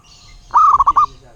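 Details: Single song phrase of a local wild zebra dove: one mid-pitched rising coo sliding into five short, evenly pulsed notes, just over half a second long.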